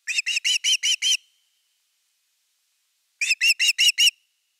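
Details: On 30 August 2021 an Osprey calls at its nest during the evening fish. Two bursts of six bright, whistled, upslurred notes are separated by about two seconds of quiet.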